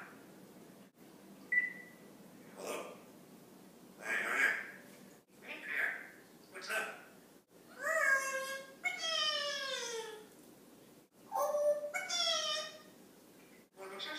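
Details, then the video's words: Pet Congo African grey, a male around four years old, talking indoors: several brief spoken words, then drawn-out falling meow-like cries with rich harmonics, repeated about three times near the end. "TALKING PARROT: Pierre the African Grey"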